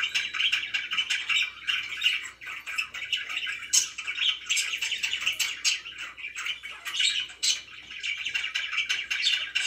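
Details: Continuous warbling chatter from pet budgies in a small room, with rapid scratchy chirps, squawks and thin high squeaks overlapping without pause for nearly ten seconds.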